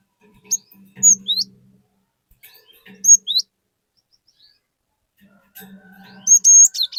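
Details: Actively singing caged cinereous tit, played to prompt other tits to join in; short bursts of high, hooked whistles separated by pauses, over a low humming background.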